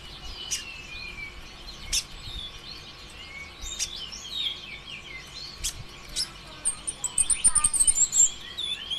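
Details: Sunbird singing as a lure to prompt other birds to sing: scattered high, squeaky chirps and sharp clicks, building at the end into a fast run of thin twittering notes, with a low constant hum underneath.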